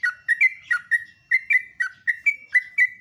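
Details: Sooty-headed bulbul in live morning song: clear, mellow whistled notes in quick succession, alternating slightly higher and lower pitches in a bouncing, rhythmic pattern.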